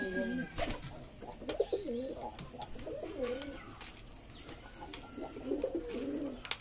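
Pigeons give low, throaty, rolling coos in several bursts, with occasional sharp knocks nearby.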